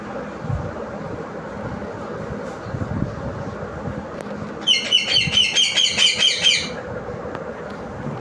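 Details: Parrot giving a two-second burst of about eight rapid, ringing, harsh notes amid a constant low traffic-like hum, with quiet before and after.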